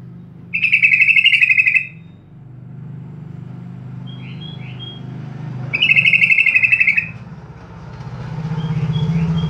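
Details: Sooty-headed bulbul lure song meant to get kept birds singing: two rich, bubbly gurgling phrases about five seconds apart, soft quick chirps in the gaps, and a continuous low rumbling hum in the background.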